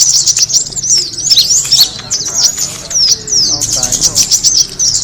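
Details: Kemade bird call for attracting birds: busy high-pitched twittering and sharp chirps in bursts, briefly pausing, with soft human voices murmuring in the background.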